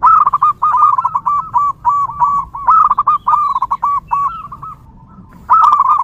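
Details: Wild local zebra dove in steady song, used as a lure for others of its kind: long runs of rapid, stuttering cooed notes in rolling phrases, one brief pause, then the phrase resumes.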